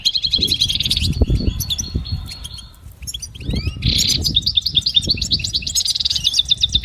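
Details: Twittering goldfinch training song: a quick run of chirps and a buzzy trill, a short quieter gap with sliding notes, then a loud rasping burst followed by tumbling high twitters over low background rumble.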